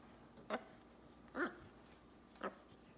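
A macaw gives three short, voiced, speech-like syllables about a second apart, harsh and nasal, in a quiet room.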